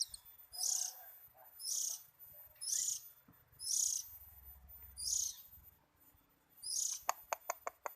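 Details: A contented oriental magpie-robin repeats buzzy, hissing high phrases at roughly one-second intervals, ending in a quick series of sharp clicks.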